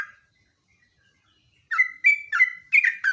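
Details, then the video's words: Sooty-headed bulbul in chattering song, recorded for luring and tutoring other birds: one brief note, a second and a half of silence, then five quick whistled phrases of falling and rising notes. "BURUNG JOGJOG/TRUCUK NGEROPEL"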